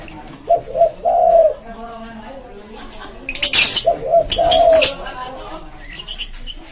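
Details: Spotted dove cooing in the pédo élem style, used as a lure for wild birds: two low, soft, mellow cooing phrases with a drawn-out final note, separated by clicking and rustling noises.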